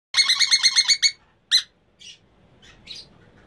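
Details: Breeding pair of Emma's conures giving a rapid run of about eight harsh, grating notes in one second, then a single loud squawk and a few fainter, scratchy calls trailing off.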